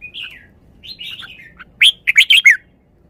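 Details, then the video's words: Red-whiskered bulbul singing song phrases praised for fine style. Gentle slurred whistles come first, then a loud, rapid, bubbly phrase of five emphatic notes. The recording is clean. "นกกรงหัวจุก จ้าวมาดี สำนวนดี"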